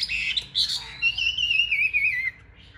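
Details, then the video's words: Chinese hwamei singing during a fighting display: short bright notes, then one long wavering whistle sliding slowly downward before stopping, with a faint low hum underneath. "Bộ to đấu xòe hót rất tốt, giộng rất hay | Họat Họa Mi"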